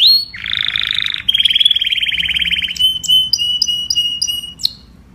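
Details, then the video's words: Canary calling the flock in song: a low buzzy rattle leads into a long rolling trill, followed by a sustained whistled tone with bright pips above it. "Tiếng chim Hoàng Yến hót gọi đàn"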